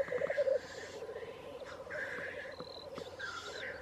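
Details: At Wrexham, black grouse keep up a low, continuous burbling chorus, loudest at the start, while short hissing bursts and higher whistled notes break in now and then.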